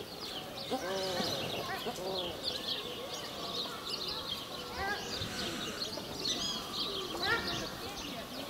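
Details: Paradise shelduck pair in breeding plumage, the female white-headed and white-necked, aggressively driving off other waterbirds to defend the breeding territory; nasal honking calls with arched notes come in irregular bursts over steady background chatter of other birds.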